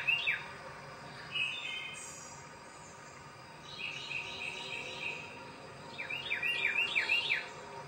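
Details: Wren feeding and singing in a backyard bird sanctuary, Macon-Bibb County, Georgia. Buzzy, drawn-out notes come first, then a quick run of sharp, falling whistled notes near the end, all against a constant background hum of insects.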